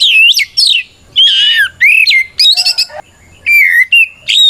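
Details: Oriental magpie-robin in full continuous fighting song, a rival challenge meant to provoke other magpie-robins into answering: loud, clear whistled phrases sliding up and down, separated by short pauses, with a faint low hum.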